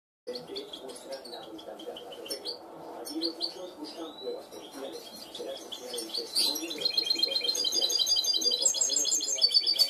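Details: Trained goldfinch hybrid singing in the clean-song style called cante limpio: scattered high twitters that build into fast, even metallic trills repeated about four times per second, over a steady low warbling murmur in the background.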